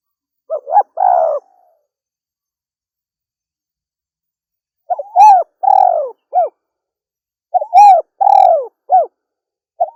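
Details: Female spotted dove giving cooing phrases of a few short notes and a longer falling coo, with long silent pauses between phrases.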